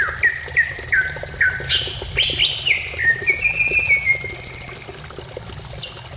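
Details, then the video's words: Greater green leafbird singing, played to prompt other birds to sing: a few falling whistled notes repeated evenly, then louder upslurred phrases, a level sustained whistle and a high buzzy trill near the end, over low background hum. "Pancingan cucak ijo supaya cepat bunyi ,, Terapi cucak ijo anti stres"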